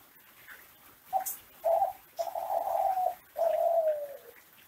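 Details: Indonesian captive Kelantan ringneck dove singing as a master recording for other doves; four mellow coos building from short to long, the last drawn out and falling, over a hissy background.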